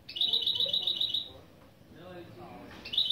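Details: A goldfinch × canary mule sings its intro phrases during a lesson: a fast, bright, even trill of repeated notes lasting over a second, a quiet pause, then the trill starting again.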